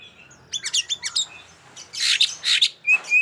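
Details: Oriental magpie-robin in lively ngobra style, used for testing young birds that are still silent: rapid bursts of sharp, sweeping high chirps, then loud broad harsh notes and two clear whistled tones near the end.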